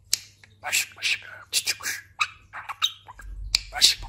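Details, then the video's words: Pet talking budgerigar, newly moulted and much fatter, imitating human speech: fast, clipped syllable-like squawks and chirps in speech rhythm, with sharp clicks between phrases and a low hum in the room. "Konuşan muhabbet kuşu"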